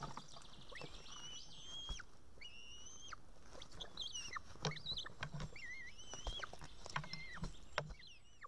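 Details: Young white-tailed eaglet begging to be fed at an Estonian nest, June evening: thin whistled notes and short wavering calls amid clicks and rustling from movement in the nest.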